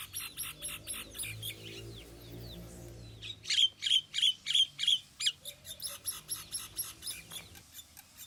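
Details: Common myna calling: a run of loud, evenly spaced sharp notes, about five in a row, set among softer chattering chirps before and after.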